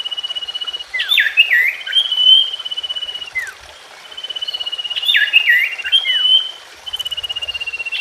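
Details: Common iora (sirtu/cipoh) song meant to prompt a silent bird to sing: level buzzy trills alternate with bursts of loud twisting whistles and dropping slurs, the pattern repeated twice across the passage.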